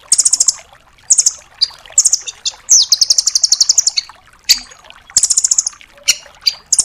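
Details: Velvet-fronted nuthatch in full 'tembakan' bursts, a master voice for training other songbirds: piercing high chip-volleys and one long, fast, even trill lasting over a second, with scattered thin squeaks between.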